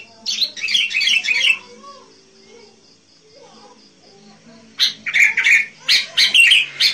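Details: Sooty-headed bulbul singing to lure wild birds: a fast chattering phrase, a quiet gap with soft distant whistles, then a run of loud, clipped, bubbly notes.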